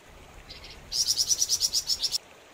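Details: {'caption': 'Flamboyan bird in full voice. A few faint high notes are followed by a loud, quick burst of about ten bright chirps, then sudden quiet.'}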